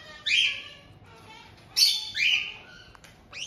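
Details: Captive white-bellied caiques in Tokachi, Hokkaido, Japan, recorded 18 June 2023: a resident adult pair welcoming a newly arrived young bird just over two months old. Two loud, harsh, rasping squawks, each about half a second long, separated by a quiet pause.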